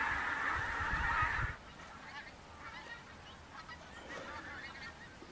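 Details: Pink-footed geese arriving in flocks of tens of thousands at the Montrose Basin estuary, Scotland, in October 2012, give a loud burst of high, yelping honks for about a second and a half, then fainter scattered calls from a distant flock.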